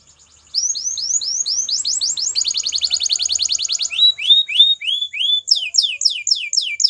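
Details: Belgian canary training song: rising slurred whistles speeding into a dense rattling trill, followed by slower looping notes and quick descending sweeps.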